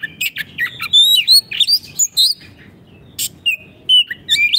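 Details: Oriental magpie-robin in full song, used as a training recording for caged birds that have stopped singing: a fast, varied run of clear whistles, slurred rising notes and sharp chips, loud and continuous.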